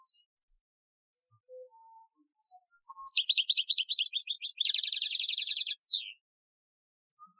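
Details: Algerian-style goldfinch training song from 2015. Scattered soft notes lead into a rapid twittering phrase and then a rattling, even trill lasting over a second, closed by a falling slur.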